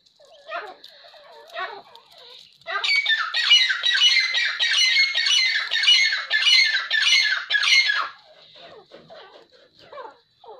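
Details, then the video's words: Breeding pair of quail: a loud burst of harsh, squawking chatter with rapid repeated notes for about five seconds, framed by softer, scattered chirps before and after. "Quail Breeder Pair"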